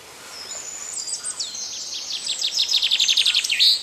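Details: Indian river tern, a freshwater tern of inland rivers in India: a high, rapid series of sharp, chattering notes that speeds into a steady repeated rattle, several notes per second, rising in loudness toward the end.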